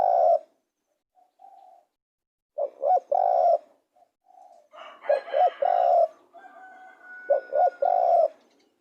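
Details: Spotted dove calling repeatedly, several phrases each made of short rising coos and a drawn-out final coo, with softer faint coos between them.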